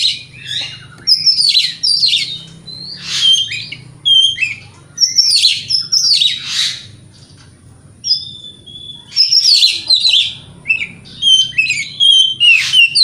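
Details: Spirited morning singing by an Oriental magpie-robin, a lure to make rivals reply: repeated loud phrases mixing buzzy rattles, chips and slurred whistles in clusters, a brief lull around eight seconds, then rapid renewed bursts.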